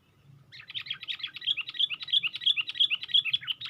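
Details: Sooty-headed bulbul lure sound, the bird raising its wings on a twig; rapid, steady run of sharp, high chirps and short slurred notes, about three per second, continuing without a break.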